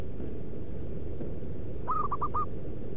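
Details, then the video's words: A single bright coo phrase from a local zebra dove used to lure wild doves, a longer note then three brief rapid notes, arriving after a stretch of low steady rumble. "Merbuk pikat lokal suara si battosai pemanggil perkutut di alam liar"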